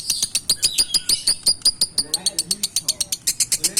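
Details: Young konslet lovebird chattering in a fast, steady run of sharp clicks and high chirps, about six per second, with some lower soft notes underneath partway through.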